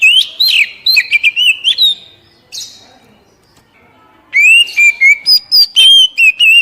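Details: Song of an Oriental magpie-robin, played to get freshly caught caged birds singing: clear slurred whistles and quick chirps for two seconds, a short buzzy note, near silence, then another lively run of rising and falling whistled phrases.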